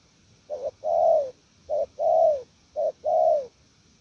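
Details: Wild-caught spotted dove cooing 'gù lèo nước': three phrases, each a quick doubled note then a sustained, softly falling coo, spaced about a second apart in a quiet setting.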